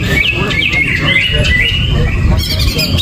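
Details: Short burst of gerabakan song from a greater green leafbird, with no banana and no cover: smooth sliding whistles ending in a sharp high chatter, over a low hum.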